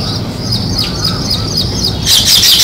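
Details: Sparrow chirps: short, high notes repeated about three times a second, with soft background chatter, ending in a sudden louder burst of overlapping chirps from several birds.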